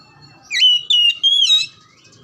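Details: Whistled oriental magpie-robin phrase meant to stir quiet, reluctant birds into steady song: three pure, slightly wavering notes, each about a third of a second, rising in pitch across the phrase, with little background sound.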